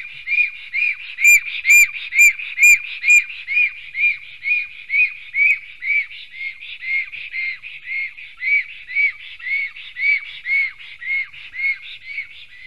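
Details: Latvian black stork nest, Sigulda municipality, 11 June 2020, 10:43 am, during a fight between two males: a long, even series of arched whistled notes about twice a second, sharp and bright in the second to third seconds, then steady and mellower.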